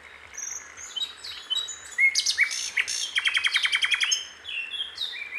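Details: Singing wild sikatan londo flycatcher: thin high whistles build into a dense jumble of chips and a descending series of rapid clicking notes, then fade to scattered high calls; faint low pulses beneath.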